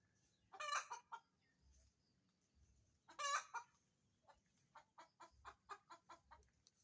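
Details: Chicken laying an egg: two loud, drawn-out harsh squawks a few seconds apart, each trailed by clucks, ending in a quickening series of about ten short clucks.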